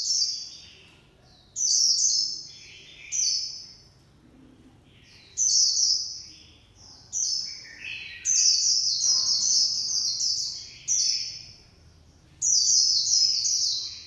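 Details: Japanese white-eye song of the 'líu pha choè' type, with bright, high, downward-sliding whistled phrases and twittering runs repeated in bursts over fourteen seconds, against a faint low hum.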